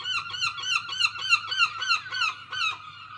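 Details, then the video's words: Loud seagulls giving strange sounds: a rapid run of about eleven harsh, yelping, laugh-like notes, three to four per second, each note briefly rising then falling, steady and close, with a low hum underneath. "Seagulls are very loud and make strange sounds"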